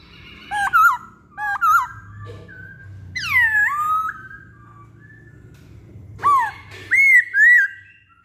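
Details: Masked laughingthrush, locally poksay Hongkong, in a pancingan recording. Short sharp whistled notes open it, then a loud downward-swooping whistle, then quiet. A final group of bright arched whistles ends it.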